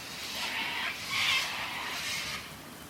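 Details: White cockatoos squawking as a storm with rain and thunder begins after a morning forest walk: harsh, raspy screeches in three drawn-out bursts about a second apart, several birds calling at a distance over a steady wash of rain.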